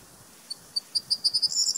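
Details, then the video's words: Corn bunting song: a few dry, high ticks that speed up into a short, bright, jangling rattle near the end, like shaken keys, against quiet background hiss. "Strnad luční - Miliaria calandra"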